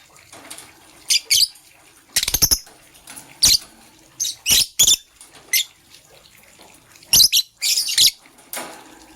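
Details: Green and blue lovebirds chirping in the morning: scattered short, shrill chirps and raspy double notes at irregular intervals, some in quick pairs, over a low background hiss.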